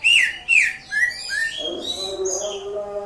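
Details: Greater green leafbird from Indonesia, ngatrok style song: four loud descending whistled notes in quick succession, each slightly lower, giving way to softer high warbles mixed with a low background murmur.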